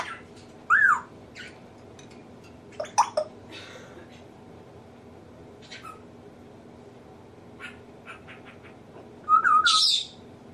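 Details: Captive African grey parrot indoors mimicking household sounds: a rising-falling whistled note, scattered clicks and short squawky bursts, ending in a harsh noisy squawk with a wavering whistle.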